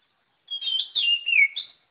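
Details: Oriental magpie-robin singing a brief, clear whistled phrase of high, sliding notes in three quick, slurred bursts, the last dipping then leaping upward, with no other sounds.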